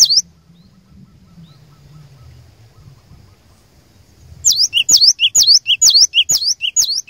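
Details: After a long near-silent stretch with faint low rumble, a cinereous tit lure bird bursts into a rapid run of high two-part whistled phrases, each sharp upper note followed by a lower short one, about twice a second.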